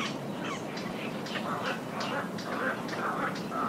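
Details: Little egrets in a breeding colony, close recording of alarm calls and greeting ceremony: harsh, croaking calls repeated irregularly about twice a second, several birds overlapping with rustling wing flaps and movement.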